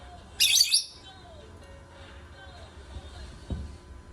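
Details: Lovebird singing: one loud, shrill, high chirping burst lasting under half a second near the start, then only faint scattered high notes and a low dull thump over a quiet background.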